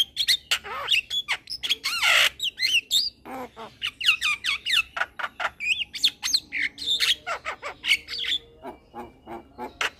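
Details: Young male black-winged starling, caged, singing busily for a master recording that trains cage birds: a dense run of varied slurred whistles, squawks and harsh bursts, then rapid repeated clipped notes, with a faint low hum beneath.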